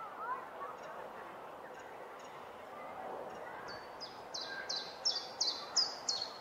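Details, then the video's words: Common chiffchaff still singing at the end of June, late in its long singing season; after three quiet seconds, a run of sharp, high notes starts and grows louder, delivered at an even, steady rate of roughly three notes a second. "Chiffchaff still singing"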